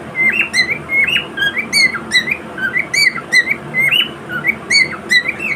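A cockatiel gives a steady run of bright, warbling whistled chirps that rise and fall quickly.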